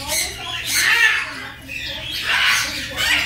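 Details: Young red-tailed grey parrot expressing affection to its friend: harsh, broadband squawks in three bursts, each rising and fading over about half a second, with a steady low hum underneath.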